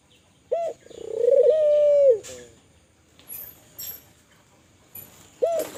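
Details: Kelantan spotted dove calling vigorously to encourage other doves to call: a clipped note, then a long, even, hollow tone with a falling end, followed by faint chirps and the start of the next phrase.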